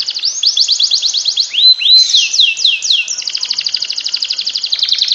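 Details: Canary masteran song to coax lazy canaries into ngekek: rising arched whistles repeated rapidly, two clear bell-like notes, then a long buzzy pulsing trill to the end.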